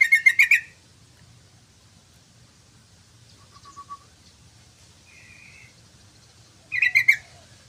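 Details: Sooty-headed bulbul in full song: a rapid bubbly phrase of rich, harmonic chirps opens, soft scattered notes follow through a quiet stretch, and a second fast bubbly phrase arrives near the end.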